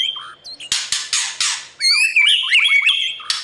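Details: White-rumped shama morning song for training newly caught birds to sing hard in competition: a thin whistle, then three loud harsh rasping bursts, followed by a fast, varied whistled phrase and a final rasp.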